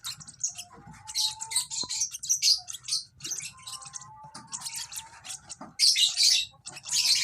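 Young lovebird chirping in quick, shrill bursts of high, scratchy notes, with louder flurries near the end and a faint steady tone underneath.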